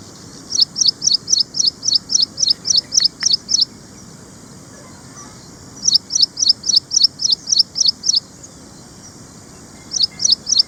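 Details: Ashy prinia in India, typical of urban gardens and farmland, repeating a long, even series of high, sharp notes about four per second in two extended runs, then a short third run.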